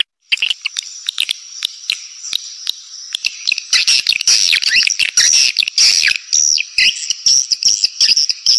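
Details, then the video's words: Lure sound for swiftlets with scattered quick clicks that build into thin, high, buzzy chirruping trills, about two pulses each second. "Suara Panggil Burung Walet"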